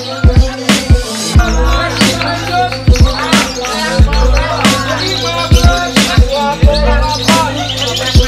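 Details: Hip hop music with rapping vocals, thumping bass beats and layered instruments throughout, with no animal sound heard.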